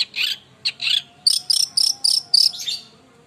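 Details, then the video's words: Long-tailed shrike song: rapid, scratchy, chattering bursts and high whistled notes, several per second. A low, steady background hum runs throughout. "Burung Cendet Super Gacor"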